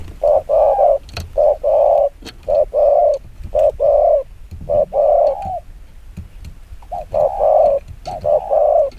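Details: Spotted dove delivering very fast 'chiêu gù kích bổi' coos: steady, evenly spaced pairs and triplets of low, hollow notes running throughout, with a few faint taps.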